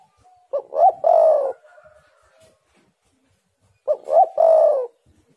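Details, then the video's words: Spotted dove singing steadily, played as a lure to trigger song in other doves: two phrases about three and a half seconds apart, each two brief coos followed by a long, falling coo, in an otherwise quiet setting. "tekukur super gacor pancingan untuk macet bunyi jadi gacooorr"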